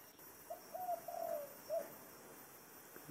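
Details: Dove singing in the 'thổ đồng' voice style: one low cooing phrase of four notes, a short coo, two longer drawn coos, then a final clipped note, over faint background hiss.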